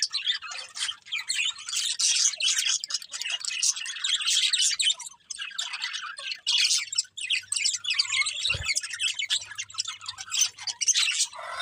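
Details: Morning chorus of many small birds, continuous overlapping high chirps and squeaky twitters with short lulls, plus a brief low knock and faint hum late on.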